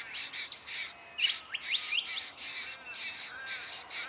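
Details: Diamond firetail recorded in Victoria, Australia, in November 2014: a rapid series of harsh, buzzy bursts high in pitch, some with short rising slurred notes, repeated several times a second over a quiet background.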